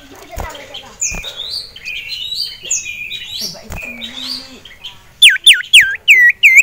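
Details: Caged male sirtu, agitated on seeing a rival male and a female, in a kicau mania setting with a common iora nearby; varied high whistled phrases, then four loud, sharply repeated down-up swooping notes, with occasional clicks.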